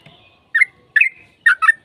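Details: Short burst from a sooty-headed bulbul lure song, fighting style, meant to make other birds reply: four clear, slurred chirps in two pairs with a quiet pause between.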